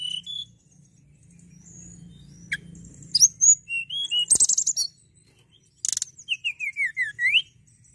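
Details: Hill prinia (tledekan gunung) singing: a quick series of high whistled notes, a buzzy rattle, then a descending run of about six slurred whistles, with a low hum in the background.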